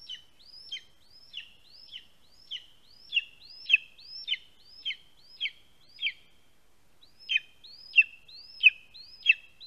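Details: Nestling lesser spotted eagle in a Latvian spruce-top nest, filmed by live camera at midday on 2 August 2020 when a vole is delivered: a run of high, slightly hoarse, down-slurred yelps, unevenly spaced, about one and a half per second, with brief gap.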